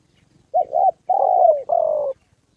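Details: Single coo phrase from a spotted dove used as a trapping decoy in Gia Lai, Vietnam, on the 2 September holiday: a short doubled note, then two long hoarse drawn-out notes sliding slightly downward.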